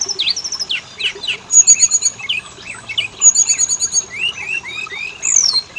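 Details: Magpie-robin lure song played to set males and females singing: varied slurred whistles mixed with two fast high rattling trills, closing with rising whistled phrases.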